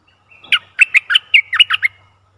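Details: Bulbul acting as a decoy to lure a very old wild bird sings a fast phrase of about nine loud, chirpy notes that dip and climb in pitch.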